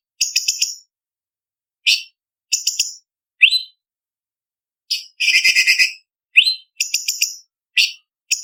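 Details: Leafbird known locally as cucak cungkok, recorded as a tutor song for bird contests: high stuttering chips and rising whistles spaced out over several seconds, a loud buzzy rattle mid-clip, then more quick whistled phrases.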